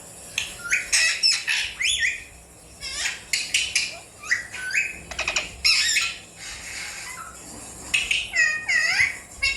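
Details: Alexandrine parakeet learning to talk, giving a busy run of short chirps, clicks and harmonic slurred notes, some in quick stutters, the phrases packed closely over several seconds with brief gaps.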